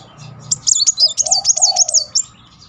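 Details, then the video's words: Van Hasselt's sunbird singing a rapid 'nembak beruntun' lure song: a dense run of very high, quick, zigzag notes lasting over a second, with a softer lower warbled phrase beneath. "Kolibri Wulung nembak beruntun -- pancingan Kolibri bahan maupun macet Naik emosi."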